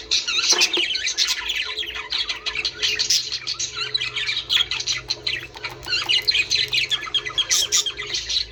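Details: Budgerigars chattering to stimulate mating: a steady stream of high warbled twitters, chirps and scratchy squawks from several birds, with a faint low hum underneath.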